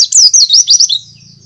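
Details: Loud white-eye song used to lure other birds: a brief, rapid string of high, sliding, twittering notes lasting under a second, then quiet.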